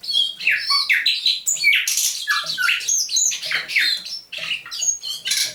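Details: Captive thrush nightingale, caught near Saint Petersburg in May 2019, singing at dawn on 27 November 2021: a dense run of varied phrases, sharp rising and falling whistles, buzzy notes and clicks packed closely together, about two per second, in a small room.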